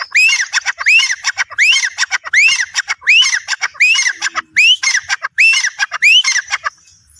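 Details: Grey francolin giving a continuous rapid run of about ten squawking, upslurred notes with falling tails, one roughly every 0.6 seconds, loud and steady throughout.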